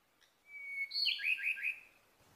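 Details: Song of the endangered Ryukyu robin of Okinawa, Japan: a thin steady whistled note followed by a descending series of quick, throaty, slurred notes repeated three or four times, with little background noise.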